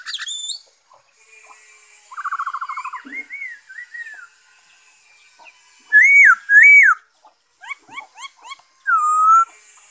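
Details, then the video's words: Varied black-throated laughingthrush singing on 5 May 2021: a fast rattling trill, soft wavering warbles, loud looping whistled phrases twice, quick rising chips and a final downslurred whistle. "Saib noog sab hwj zoo nkauj,bay khuou,นกกะรางคอดำ"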